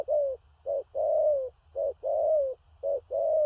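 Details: Large-bodied spotted dove singing loud 'thổ rặc' coos with stutters. A clipped short note is followed by a drawn-out, slightly falling coo, about three pairs in three and a half seconds. A steady low hum runs beneath.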